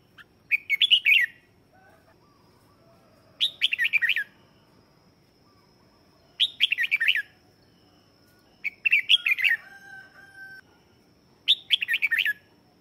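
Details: Red-whiskered bulbul singing as a lure bird to call and excite wild birds; short bright warbled phrases repeat about every three seconds, five phrases in all, with a faint lower tone between some phrases.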